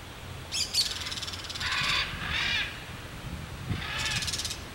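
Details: Crested caracara (carcará) giving coarse, grating calls: two short rasping notes, then longer harsh bursts, then a fast rattle near the end, over faint background noise.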